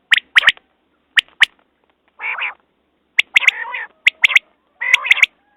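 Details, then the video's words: Quail calling: sharp, clipped high notes in quick pairs and triplets alternating with broad, buzzy, nasal bursts, with short silent gaps between phrases. "Batair Ki Awaz New Quail sounds"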